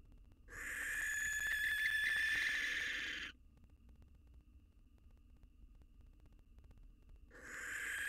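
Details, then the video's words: A male barn owl, three days a widower, courting a new female on the outside of his nest box while his fledgling stands nearby. One long rasping screech, a four-second silence, then the next screech starts. "Male Barn Owl Moves On Quickly: Courting a New Mate Next to Its Kid, 3 Days After His Wife's Death"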